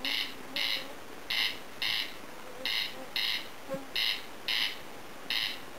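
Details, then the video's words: Corncrake (Crex crex) calling unseen from tall grass near a home in Lääne-Virumaa, Estonia, a dry, rasping double 'crex-crex', each pair a little over a second apart, repeated steadily over faint hiss; it falls silent when approached. "RUKKIRÄÄK Corncrake Crex crex ( Voice )"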